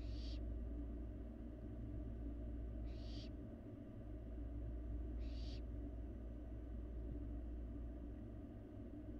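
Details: On a Florida live cam, a barn owl fledgling eats in an empty nest box, producing three harsh, hissing screeches about two and a half seconds apart, with a low mechanical hum throughout.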